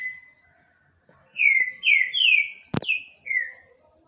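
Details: Rufous-bellied thrush delivering a phrase of five bright whistled notes that slur downward, broken by one sharp click partway through.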